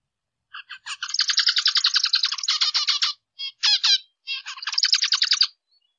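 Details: Zebra finch (Taeniopygia guttata) call: rapid runs of nasal, buzzy little notes, like a toy trumpet tooting.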